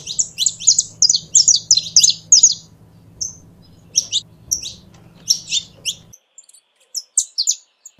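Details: Saffron finch song of high sharp chirps, a fast cluster first and then spaced phrases of two or three notes, over a low hum that stops near the end.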